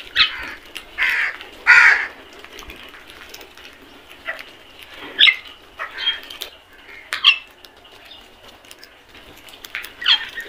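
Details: A flock of crows at feeding time: a burst of harsh caws at first, followed by spaced, shorter cawing calls from several birds.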